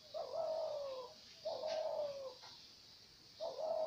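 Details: Dove calling: three long, soft, low cooing notes, each gently falling in pitch and lasting about a second, spaced by short pauses, with faint hiss behind.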